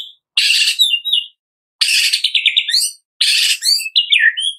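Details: White-rumped shama morning song meant to prompt captive birds to sing: three loud rich phrases of dense chattering notes sliding into descending whistled trills, separated by clean pauses.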